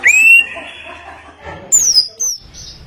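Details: Forest white-rumped shama giving clear, thin whistles: a rising note held steady, a quiet gap with soft background murmur, then a high whistle gliding downward and a brief, even higher note.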